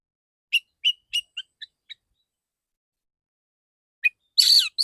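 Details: Male white-rumped shama in training: a quick fading series of six short chirps, a pause, one more chirp, then a loud harsh buzzy burst.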